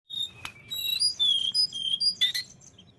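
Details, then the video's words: Tledekan gunung singing vigorously: a run of clear, high whistled notes, some sliding downward and some flat, joined by buzzy higher twitters, in a quiet setting. "tledekan gunung gacor"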